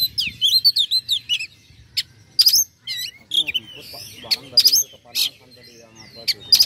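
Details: Oriental magpie-robin (kacer) singing to provoke rivals: a quick run of high chirping notes, then scattered sharp whistles and squeaky rising notes with short pauses between.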